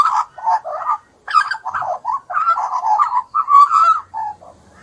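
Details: Australian magpie youngster begging to be fed in Australia, giving rapid, rough, nasal squawks in short bursts, some rising and wavering, packed closely with only a brief pause near the first second.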